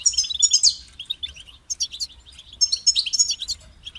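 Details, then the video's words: European goldfinch song: rapid, tinkling high trills and chirpy twitters in two main bursts separated by a softer run of short notes, with a faint low background hum. "Highlighting motivating songs for creative goldfinches in simple ways"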